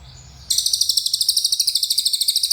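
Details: Cililin bird delivering its long rapid-fire "nembak" song: after half a second of quiet, a dense, very high trill of sharp pulses runs at about eight per second until the end.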